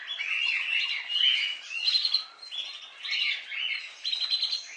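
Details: Budgies chatter in waves of scratchy warbling and chirped trills, with thin high squeaks inside each burst and short dips between them.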